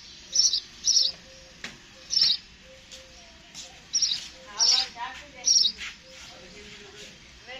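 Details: Sparrow chirping in short, high bursts, roughly one every half second to second, with softer lower notes between them.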